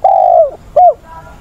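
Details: Spotted dove kept as a decoy for training wild birds, recorded 20 August: a sustained mellow coo sliding downward at its end, then a shorter falling coo, with faint background.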